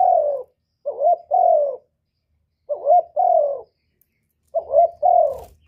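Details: Spotted dove giving its call three times: each phrase a short double coo then a longer falling coo, repeated about every two seconds, with a faint low rumble near the end.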